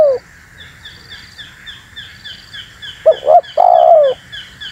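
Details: Spotted dove lure call: a single phrase of two short notes and a long, low, falling coo, after a stretch of thin repeated chirping from other birds.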